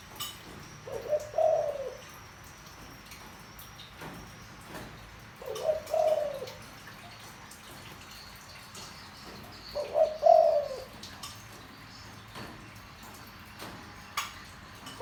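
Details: Deep-voiced spotted dove recorded to stir a decoy bird: three soft low coo phrases come roughly every four to five seconds, each a short note and a longer hollow coo, with faint ticks between.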